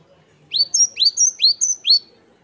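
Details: Great tit (gelatik batu wingko, Parus major) giving 'wucit wucit kristal' song: four quick pairs of notes, each a rising sweep followed by a higher, thin whistle, repeated about twice per second.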